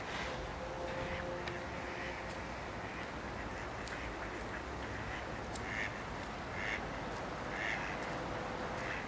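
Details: Canvasback recorded in March 2011 at Sechelt Marsh, Sechelt, BC; faint scattered calls, then three clearer nasal quacks about one second apart near the end, over steady marsh noise.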